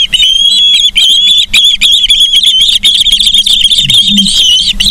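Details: At a Charlo, Montana osprey nest on 31 August 2023 around 09:36, a nest camera picks up quick repeated high chirping whistles, insistent and continuous, plus a low background hum.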